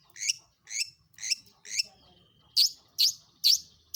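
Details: Long-tailed shrike singing as a lure for other shrikes, toet-toet material linked together: four rasping high notes, a thin drawn whistle, then four louder sharp notes in quick succession.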